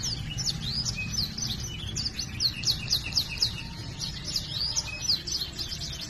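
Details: Canary song in the vigorous gacor style, rolling ngerol trills and cuit cuit notes used as a training recording to make silent canaries sing; fast repeated high down-slurred notes, about four per second, over low background rumble.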